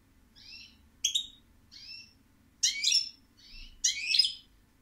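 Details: Goldfinch song of alternating soft whistled notes and loud liquid twittering bursts, six phrases in quick succession with a faint low hum beneath.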